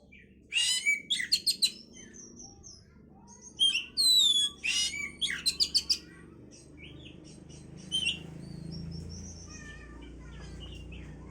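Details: Oriental magpie-robin (kacer) song meant to stimulate breeding: loud rapid series of sharp chattering notes and bright whistles, then fading, over a steady low background hum.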